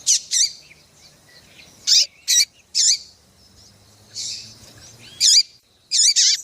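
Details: Calls of a female double-collared seedeater, used to rouse males into song for singing contests; eight sharp, bright chips, several given in close pairs, with faint thin whistles in between.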